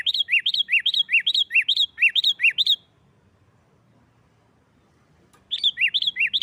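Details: Energetic 'gacor nggaruda' song of a sooty-headed bulbul, played to test and stir other bulbuls; a long run of bright alternating high-low whistled notes, a silent pause of almost three seconds, then the phrase resumes.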